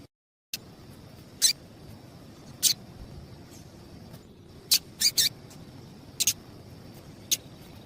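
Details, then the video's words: A female double-collared seedeater calls to stimulate males. Eight high, snappy chips, some in quick pairs, spread irregularly after a brief silent start. "Piado de Fêmea de Papa capim com Piado de Fêmea de Papa capim para Esquenta papa capim"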